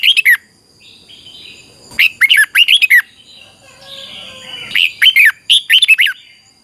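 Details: Red-whiskered bulbul song used for singing training: short bursts of bright, bubbly whistled notes, several clusters separated by quiet gaps, with faint softer chirps between.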